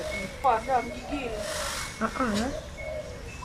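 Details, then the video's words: An Indian peafowl calling to attract females gives two short, nasal, wavering peacock calls about two seconds apart, over a faint steady high whine and low background noise. "Bunyi Burung Merak Memikat Betina"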